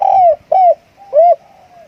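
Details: Spotted dove used as a decoy, calling a loud falling coo, a second slurred coo and a third arched coo, each clean and resonant, trailing into soft fading tones with no other sound.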